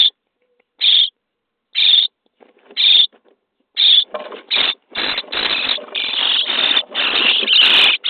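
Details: Common starling (Sturnus vulgaris) nestlings in a nest box, day 23, begging: harsh, hissing rasps about once a second, swelling into a continuous, frantic wheezing chorus as food arrives.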